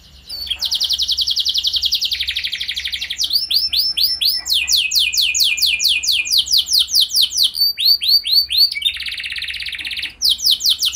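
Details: Canary singing as a lure for other canaries: a fast buzzy high trill, then a lower rolling trill, followed by series of quick descending slurred notes and more rattling trills, loud and continuous.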